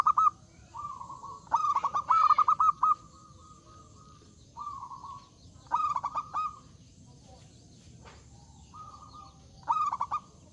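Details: Zebra dove giving a big, loud song that invites rival birds to sing back: repeated phrases of rapid staccato coos, each running into a long even trill, with quieter doves calling in between.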